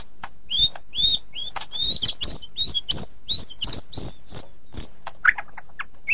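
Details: White-rumped shama delivering paired, high chirped phrases repeated quickly, closing with a few sharp higher notes.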